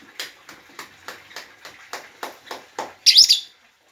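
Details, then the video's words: Lovebird giving short sharp chirps about three times a second, steady and even, ending in a louder, shrill, rasping shriek. "burung lovebird"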